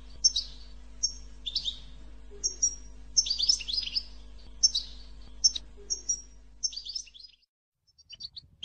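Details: Canary song played to stimulate singing: fast, high twittering phrases of sharp chirps and short trills in bursts, with a steady low electrical hum beneath, ending in a brief pause and soft notes.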